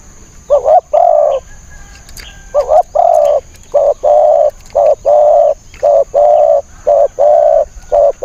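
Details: Spotted dove calling during decoy trapping of wild birds: repeated paired coos, a short stuttered note followed by a longer smooth one, mid-pitched and mellow, about every second or so, steady hiss behind.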